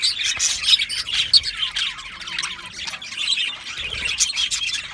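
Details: Happy budgies in an aviary chirping together: bright, busy warbling and short tweets, loudest in the first second and a half, then a steady chattering chorus.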